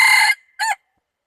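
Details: Wild red junglefowl recorded 24 February 2019, the tail of a crow: a sustained harsh cry fading out, followed after a short gap by one brief clipped closing note, with silence around.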